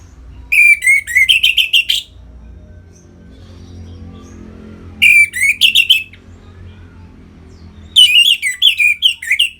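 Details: Orange-headed thrush singing to rouse captive birds into breeding mood: three separate bursts of rapid whistled and chattering notes, each about a second and a half long, spaced roughly three seconds apart.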